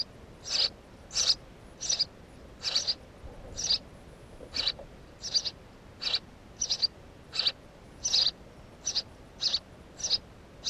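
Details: House sparrow calling with a long series of sharp, high chirps, roughly one every half to three-quarters of a second, fairly even, against a quiet background.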